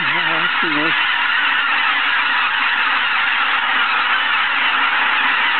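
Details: At Izunuma at 6 am, a goose gives two short, nasal honks close by at the start, then only the continuous din of a large distant flock remains.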